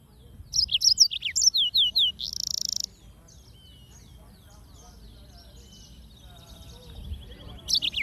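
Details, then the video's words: Yellow-fronted canary singing: a quick run of bright, high chirps and sweeping notes, then a short buzzy burst, followed by softer twittering and a final loud chirp, with faint low background rumble. "Yellowfronted canary - Serinus Mozambicus - Beautiful Bird Chirping"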